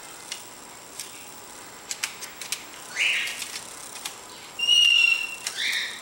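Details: Pet lorikeet playing around on a coffee table: light tapping and clicks, a brief rough squawk, then one clear, steady high whistle.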